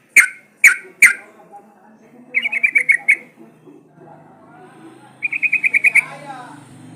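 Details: Sooty-headed bulbul played as a lure to make other bulbuls sing. Three sharp, ringing notes are followed by two quick trills of about eight short notes each. A soft low rumble sits underneath.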